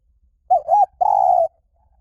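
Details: Liu tan style song of a spotted dove, used to coax trained doves into answering: two quick rounded coos followed by one long, steady, slightly falling coo, clean and close.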